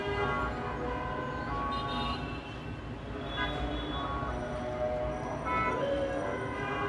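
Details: Steady music with sustained tonal notes over a constant low rumble, no animal sound heard.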